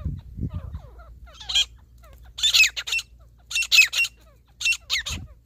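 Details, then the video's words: Wild grey partridge (teetar) in a hunting setting giving loud, harsh high-pitched squawks in short bursts, about four phrases a second or so apart, with faint chirping of other birds and low rumbling between. "Wildlife grey partridge hunting/fighting👌|jungli desi teetar ka shikar"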